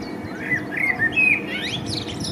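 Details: Male common blackbird singing in spring, recorded with a Panasonic LUMIX DMC-FZ1000 camera: a short run of fluty, warbled mid-pitched notes, then a higher, squeaky twittering flourish at the end, over a faint low background hum.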